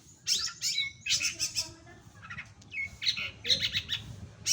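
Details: Long-tailed shrike singing vigorously in short clusters of shrill chirps and thin whistled notes, more than two bursts per second, separated by short gaps; a low rumbling hum runs beneath.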